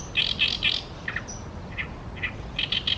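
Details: Oriental reed warbler singing by the Tama River: loud, grating triple notes open the phrase, followed by harsh chacks and croaks at uneven intervals, ending in another rapid rasping burst of three, over a soft low rumble.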